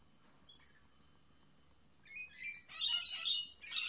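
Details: Two lorikeets, a mating pair atop a monitor squabbling over a couple of grapes, break a near-silent pause with rapid, shrill rasping screeches that build into a dense, loud burst of chatter.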